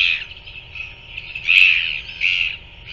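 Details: In New Zealand, a parent feeds a royal albatross chick in the early evening of 7 February 2024; drawn-out, hoarse squealing notes swell and fade, the loudest burst in the middle, then a shorter squeal near the end.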